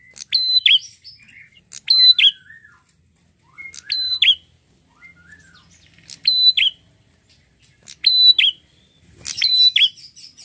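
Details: Loud, persistent singing from a red-headed prinia: a high whistle snapping down into a bright chirp, repeated about every two seconds, with softer descending twitters between phrases.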